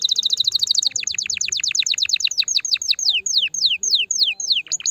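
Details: Canary singing to stimulate a female for mating: a very fast high rolling trill that slows into evenly spaced, downward-slurred whistled notes about every third of a second.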